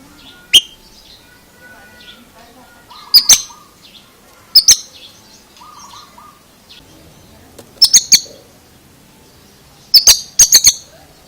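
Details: Oriental magpie-robin giving an unusual song: sharp, explosive clicking bursts in clusters of two to four, mixed with short high whistled notes and a brief lower flat whistle, spaced irregularly over a quiet background.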